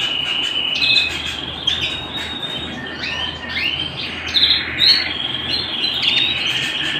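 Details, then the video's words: Indoor canary song: long buzzy trills broken by several rising slurred whistles near the middle, then a loud bright flourish and a steady trill to the end, with a low background hum. "canary singing at home"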